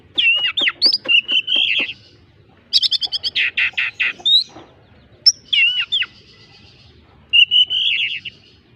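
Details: Oriental magpie-robin, a kept songbird, delivering song mimicking a squirrel: fast series of sharp chattering notes, harsh rasping bursts and clear looping whistles, phrases repeated with brief silent gaps.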